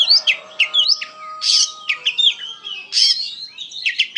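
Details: Energetic Oriental magpie-robin song: quick high whistled slurs and chips alternating with rasping bursts, over a faint steady low tone in the background.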